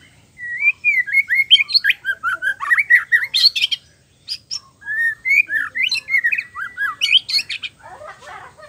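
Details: Oriental magpie-robin in rich, varied song: fluid whistles, rising and falling slurs and quick chattery notes, with a brief pause midway; a recording meant to stimulate other male birds to sing.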